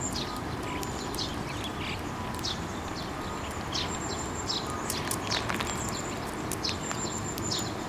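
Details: Several sparrows flock to a hand for food at a Tenmangu shrine on 9 May 2024. Dense overlapping chirps and short buzzy notes come from many birds, backed by a steady low environmental rumble.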